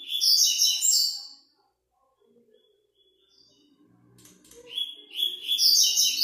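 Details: Double-collared seedeater performing for a web singing contest: two loud, rapid, high twittering song phrases separated by a pause of about three seconds, during which only faint low clicks and rustles are heard.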